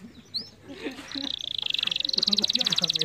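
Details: Canary song for stimulating lazy canaries to sing: a brief whistle, then a steady high buzzy trill that speeds into a fast rattling roll, with low murmuring background.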